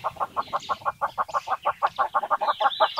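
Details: A female eastern yellow-billed hornbill (Tockus flavirostris) in Shaba National Reserve, Kenya, gives a fast run of hollow, clucking notes, about six a second, steady in pitch and growing slightly louder toward the end.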